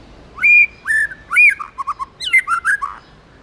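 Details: White-rumped shama, a tame bird, delivering forest-voice song: loud clear whistles with sharp upslurs, followed by quick clipped notes and a tumbling phrase of mixed whistles.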